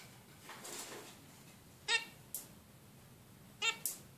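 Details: Female zebra finch calling: short, nasal, harmonically rich notes, two loud ones about two seconds apart and a few fainter ones between, over a steady low hiss.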